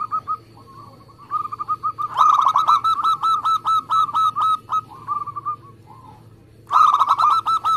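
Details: Local zebra dove in lively, fast song, recorded as a lure to get other doves singing: phrases of quick staccato cooing notes, about four per second, each note briefly bending down, with short soft notes and pauses between bursts.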